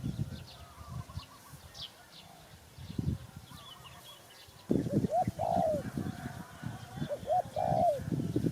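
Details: Spotted dove heard after a stretch of low rumbling noise: two coo phrases in the latter half, each of short hooked notes ending in a drawn-out falling coo, with faint bird twitters.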